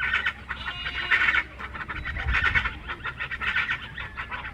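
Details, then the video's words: Chachalaca song from Colima, Mexico: loud, scratchy, clucking phrases in uneven bursts, overlapping calls forming a raucous chorus against low rumbling background noise. "canto de chachalaca colima mexico"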